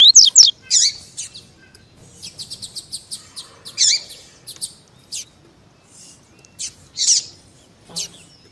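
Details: Double-collared seedeater ('coleiro tui tui') and a calling female, played to get a male singing: opens with two sharp slurred whistles, then a quick string of high ticking chirps and intermittent buzzy notes.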